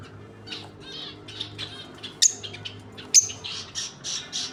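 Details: Lovebird pair chattering with scratchy, buzzy notes, broken by two loud piercing shrieks about a second apart.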